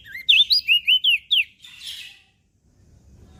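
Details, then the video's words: Song of a mountain leaf warbler, played as a lure for pet birds: six crisp, up-and-down whistled notes in fast succession, then a short buzzy note, in a quiet setting. "Opior Jambul Gacor"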